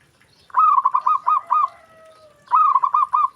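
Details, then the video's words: Zebra dove, with other doves said to answer at once, giving two bursts of quick, rolling coo notes with a faint steady whistled tone in the gap. "Perkutut Lain Langsung Respon Dengar Perkutut Ini Bunyi"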